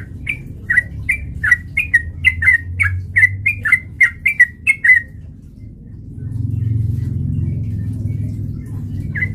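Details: Sooty-headed bulbul singing as a fighting lure: a rapid run of roughly fourteen bright, slurred chirps, some doubled, then a pause with low rumbling noise and a single late note.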